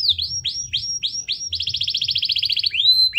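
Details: Vigorously singing canary, played to lure lazy canaries into song: several high whistled notes that drop and rise in a U shape, then a rapid even trill of short high pulses, ending on a rising whistle.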